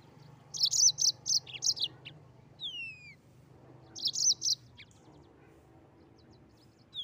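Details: Mozambique canary singing actively in a rolling style. Bursts of rapid high chirpy notes, about eight in the first phrase, broken by two down-slurred whistles, then a shorter burst and a lone note at the end, over a low steady hum.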